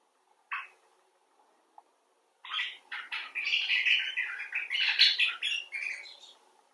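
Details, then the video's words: Expressive common bulbul talk, from rescued birds and others filmed outside: two isolated chirps, then a sustained, fast babbling stream of buzzy, tumbling notes lasting several seconds. "Bulbul Talk: The Common Bulbul (Pycnonotus barbatus)"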